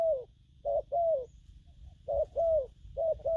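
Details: Spotted dove, a bổi-type bird, cooing in the local styles gù phóng, gù kèm and gù lăn săn: mellow mid-pitched coos in short pairs and triplets with pauses between, over a faint low hum.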